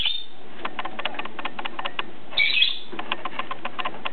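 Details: Two PBFD-positive lovebirds playing: one loud, shrill chirping burst in the middle, with steady trains of quick clicking and tapping before and after.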